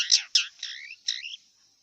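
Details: Harsh, grating notes from a wild long-tailed shrike, two quick rasps followed by longer scratchy slurred phrases, then quiet.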